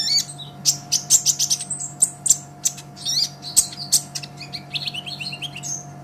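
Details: Olive-backed sunbird in full song for training songbirds: quick high staccato chirps in lively clusters, ending in softer twittering, with a continuous low hum in the background.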